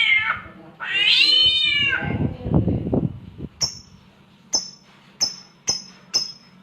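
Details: Samyong mimicking a cat's mating call: a long, bending meow that rises and falls, then a rough low rasp, followed by a series of sharp, high, evenly spaced clicks.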